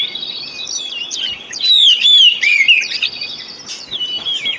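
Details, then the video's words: Lure song of the Oriental magpie-robin for encouraging a bird that has stopped singing. A short stretch of warbled, falling whistles and scratchy chirps, loudest in the middle and softer at the edges. "Pancingan Kacer Full 1 Jam Untuk Terapi Kacer Macet Bunyi,Kacer Lemot,Kacer Bahan"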